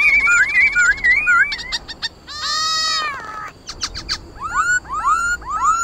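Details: White-cheeked laughingthrush in wild-style song for stimulating captive singers: rapid warbled whistles, a long nasal buzzy note, then a string of sharp upward-sweeping whistles repeated about twice a second.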